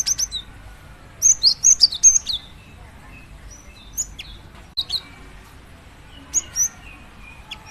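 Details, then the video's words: Female cinereous tit calling to a male: bursts of very high, sharp chirps grouped in quick runs of three to five notes, loudest around the middle, with quieter isolated notes after long pauses. "Suara burung gelatik batu betina memanggil jantan"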